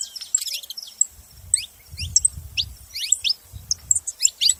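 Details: Saffron finch giving high, steeply falling chirps in small clusters roughly every half second, over a soft low rumble in the background.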